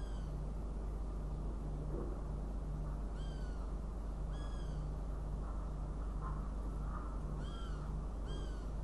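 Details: Northern goshawk calling in Riga on 29 June 2016: five slurred, downward wailing notes in an irregular series, with a steady low hum and background noise throughout.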